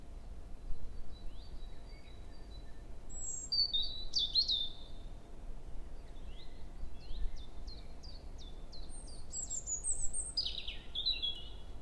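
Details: Male European robin singing at dawn-time 7 a.m. in early May, forest at Hoher Peißenberg, female nearby; scattered high notes, a sharp bright burst, then a quick series of short rising ticks and a closing high twitter, with gaps between.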